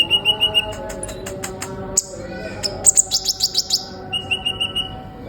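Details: Energetic sunbird song used to provoke other songbirds: quick runs of high chips about three a second, a burst of sharp very high notes in the middle, then another even trill of chirps.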